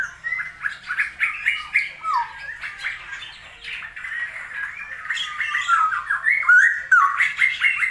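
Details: Straw-headed bulbul, kept as a songbird, heard in a rainy season; continuous bubbling warbled song of quick slurred notes, swelling into loud liquid whistled glides in the second half.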